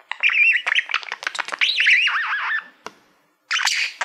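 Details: Male budgie warbling at his reflection in a silver plaque: a rolling, wavy whistled chatter with scratchy clicks for two and a half seconds, a pause, then a short rasping squawk.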